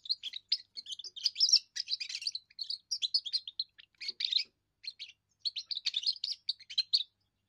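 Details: First song of a young European goldfinch, used for defending territory and attracting females: sustained rapid twittering with sweet tinkling notes and buzzy trills in phrases broken by short pauses, about seven seconds long.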